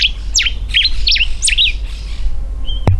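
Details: A common diuca finch in algarrobo woodland in Mendoza, Argentina, sings its territorial song from a raised perch in breeding season, a quick run of four bright, slurred whistles, each dropping then rising, over a low steady rumble.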